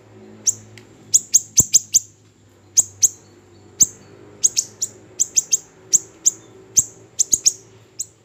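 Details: Small siri-siri bird giving sharp, very high chirps that drop quickly in pitch, some single and some in quick pairs and triplets, spaced irregularly over eight seconds, with a faint low hum underneath.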